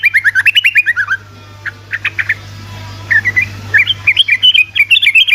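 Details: Sooty-headed bulbul delivering fast 'ropelan' chatter meant to provoke other bulbuls into song: a tumbling run of descending whistled notes, a few isolated chips, then lively repeated twittering phrases to the end, over a faint steady hum.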